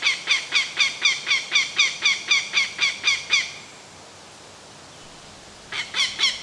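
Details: A northern goshawk (Accipiter gentilis) defending its nest from an intruder, diving at a person, gives a loud, harsh kak-kak-kak alarm chatter, about four nasal notes a second for a dozen notes, then pauses before starting again.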